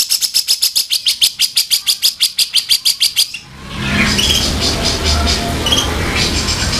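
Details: Black-crested bulbul tutor recording in the rough 'kasaran' style: quick, evenly repeated sharp chirps for about three seconds, followed by loud broadband noise with faint chirping and low rumble like passing traffic.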